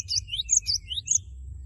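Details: A short burst of Cinereous tit song, sung to spur a rival into song: quick high whistled notes alternating with slightly lower rising slurs, about six notes in under two seconds.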